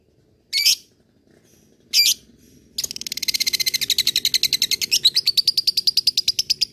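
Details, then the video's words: Lovebird ngekek used to provoke rivals and train fighter birds: two short harsh shrieks, then a long, rapid, buzzy chattering trill that runs to the end. "SUARA LOVEBIRD NGEKEK MEMANCING LAWAN"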